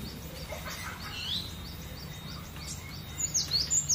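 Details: A cinereous tit singing in a relaxed, lively way gives faint, high, thin notes, then a quick burst of three sharp, bright whistles near the end, over a steady low hum.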